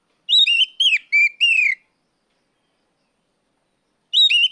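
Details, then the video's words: Caged Oriental magpie-robin in ngeplong mode, calling out a rival: four clear whistled notes bending and falling, a long silence of over two seconds, then one more sliding whistle. "NGEPLONG TERIYAKAN KACER MEMANGGIL LAWAN"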